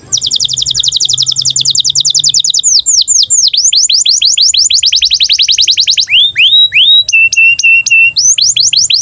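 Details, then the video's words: Canary in breeding condition, singing to train young canaries to sing and roll. A sustained rapid high trill runs into falling swept notes and another trill, then steady repeated flat whistles and more slurred notes. "KENARI GACOR Cuit CUIT BIRAHI UNTUK PANCINGAN & MASTERAN Kenari PAUD AGAR BUNYI DAN NGEROL"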